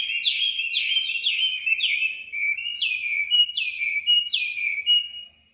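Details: Tamed caged Chinese hwamei in Hanoi, Vietnam, singing in a competitive style: loud, rich whistled phrases, each sliding downward, repeated about every half second in a lively, fast-paced series with no other sounds.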